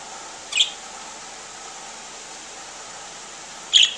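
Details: One of three pet parakeets (yellow, green and white) slow to wake in the morning gives two short, harsh, high chirps about three seconds apart over a steady background hiss.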